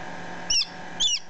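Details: Newly hatched chicken chick, about ten minutes old, recorded close up: two short, high, clear peeps about half a second apart, each sweeping downward, over a faint steady hum.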